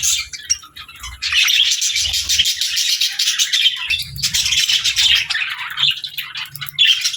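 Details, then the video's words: Budgies chirping among lovebirds: a steady flow of fast, high, scratchy twitters, briefly quiet near the first second, with soft low knocking underneath at times. "Funny Budgies Love Birds Chirping Sounds"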